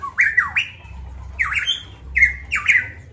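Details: Golden myna from Papua, a caged songbird, giving loud clear whistles; three swooping phrases that fall and climb again, separated by short pauses, over a low steady hum.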